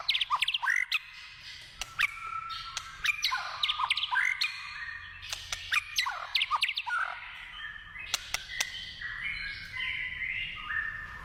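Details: White-rumped shama singing in the wild, a long, energetic run of varied whistles, sharp clicks and slurred notes, bursts of rapid phrases followed by longer sustained whistles toward the end.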